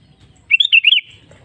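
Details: A sooty-headed bulbul's lure song, used to coax other bulbuls into singing, gives one short liquid phrase of about five bouncing, slurred whistles over a soft low background rumble.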